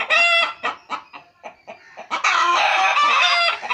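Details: Pet chickens kept at home clucking: a run of short, evenly spaced clucks, then a longer, louder drawn-out cackle with rich harmonics.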